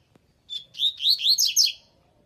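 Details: Coleiro singing one bright, high phrase: a short whistled lead-in, then a quick run of about five slurred, chirping notes that rise and fall, lasting just over a second against a quiet background.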